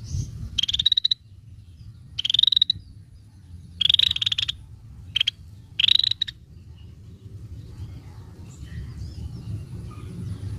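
Scaly-breasted bulbul gives five short, high, slightly rising whistled phrases with harsh edges, about one every one to two seconds, over a low steady rumble.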